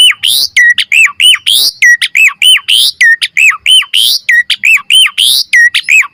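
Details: Asian pied starling singing a master song for training birds, full of varied phrases: a fast run of loud repeated notes, each a sharp rising sweep that drops into a short hooked whistle, nearly one per second, with harsh bursts between.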